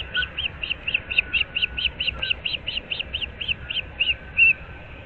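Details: Early-morning osprey calling at its Florida nest, 15 April 2024: around twenty sharp piping whistles in a steady chain, the last note longer and louder, low background murmur throughout.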